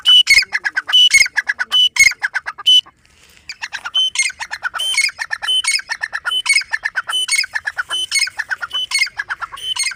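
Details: Grey francolin (dakhni teetar) giving a rapid series of shrill squawks, a brief pause near three seconds, then a sustained stream of rattling, high-pitched repeated notes.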